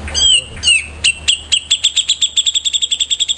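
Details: Grey-cheeked bulbul (Alophoixus bres) song: two slurred, falling whistles, then a fast run of sharp, high chipping notes speeding to about ten per second, over a faint low hum.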